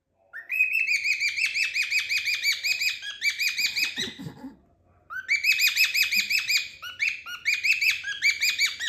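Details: Two pet cockatiels interacting playfully, giving rapid repeated chirping calls, each a bright downslurred note with rich harmonics, in dense bursts of about three seconds separated by a short pause.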